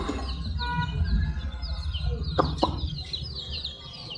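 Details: Multi-coloured chicken chicks peeping: a steady stream of thin, high, down-slurred chirps overlapping one another, a few brief sharper notes near the middle, over a constant low rumbling background hum.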